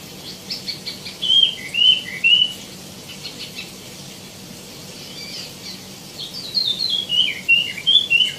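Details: Tieumi, or wambi mini, in lively song: a few loud, clipped whistled notes, a quieter pause, then a rapid burst of bright descending whistles and chirps.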